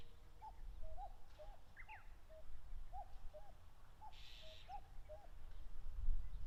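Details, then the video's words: Common cuckoos (Cuculus canorus) on the open plain beneath Mount Fuji, Japan, during late May territory fights; quick run of soft two-note cu-ckoo calls from competing birds, a few high chirps of another bird, one brief buzzing burst. "カッコウ 鳴き声 縄張り争いに忙しい"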